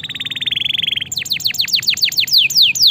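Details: Canary singing vigorously as training song for lazy canaries: a quick even trill of rapid pulses, then a cascade of steep downslurred whistles repeated several times each second.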